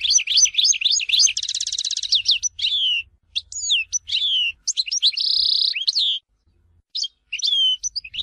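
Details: European goldfinch of Tizi Ouzou, Algeria, pouring out a long varied song of rapid chirps, buzzy trills and sharp sliding whistles, with brief pauses between phrases.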